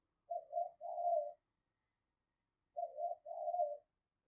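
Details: Spotted dove decoy calling to wild doves, heard only as two quiet pairs of soft, wavering, muffled coos about two and a half seconds apart, in otherwise silent surroundings.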